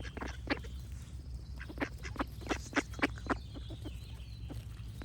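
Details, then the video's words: Duck quacks ring out as sharp, broad nasal notes, several strong ones clustered mid-clip amid softer calls, with light birdsong and a low steady rumble. "Cute Duck Quack Sound Effects with Birds Singing"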